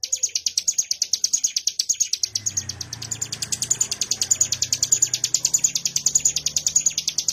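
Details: Ciblek gunung (mountain prinia), a bren-style singer, gives a fast, even train of high buzzy notes, about seven per second, steady throughout; a low hum enters partway.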